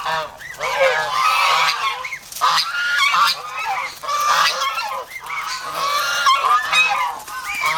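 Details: Domestic geese in the Philippines, an aggressive, over-protective guarding flock, give loud, harsh nasal honks in overlapping bursts that repeat almost without pause, several birds calling together.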